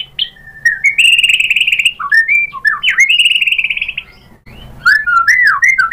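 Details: White-rumped shama delivering long trilled whistles and twisting slurred notes, loud and varied, with a pause before renewed swooping whistles.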